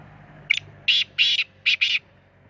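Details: Black francolin calling: five harsh, grating, buzzy notes, the first short and the rest longer, arranged in a clipped rhythmic phrase over a quiet background.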